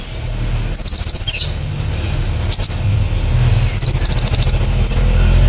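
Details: Kolibri ninja, a sunbird, in 'nembak cililin' style song meant to train songbirds: two long rapid trills of high buzzy notes plus scattered sharp chips, against a strong steady low hum.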